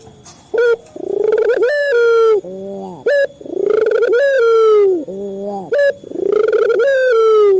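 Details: Male local Barbary dove cooing to draw calls from captive doves. Three full phrases, each a short sharp note then a swelling rolled coo that bends downward into soft low tones, about every two and a half seconds.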